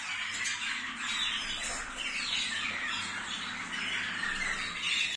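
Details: Waterslager canaries singing in 2022, a busy, watery warble of rolling trills and short whistled slurs, even in volume throughout, high and mid tones interwoven over a faint low background hum.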